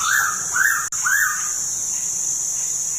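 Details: Pitta at Tha Pom in Krabi, Thailand, giving three short arched whistles about half a second apart, each swelling up and dropping away, against a constant shrill insect hum.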